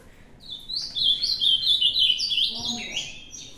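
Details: Ultramarine grosbeak from the latest singing contest, pouring out a fast, sweet warble of connected whistles that rise and fall, loudest mid-phrase, then trailing off with a soft low note near the end.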